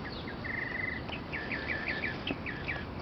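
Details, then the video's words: A bird singing close by early in the morning in a neighbourhood on 18th St, Arlington, Virginia, on 9 April 2011: a short buzzy trill, then a series of quick repeated downslurred whistled phrases, over steady background hiss. "Bird Singing for me"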